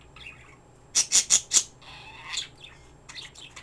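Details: Pet bird chirping nonstop indoors: four loud, shrill squawky chirps in quick succession, then softer scratchy chatter and a few faint high notes.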